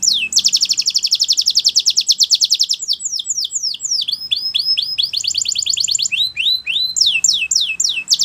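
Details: Belgian canary song used as a teacher recording for training young canaries: a long rapid trill of fast repeated high notes, then varied swooping whistled phrases, another quick trill and more sweeping notes, loud and clear with no other sounds.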